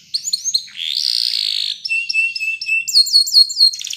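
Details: Spanish Timbrado canary training song: a fast sequence of high whistled phrases, with downslurred notes, a buzzy sustained trill, a steady level whistle, then repeated sharp rising-falling notes ending in a rapid metallic rattle.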